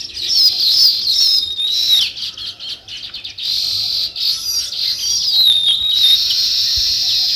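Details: A busy, loud flock chorus of sparrows: continuous high chirping and twittering, with overlapping calls and brief dips in volume throughout.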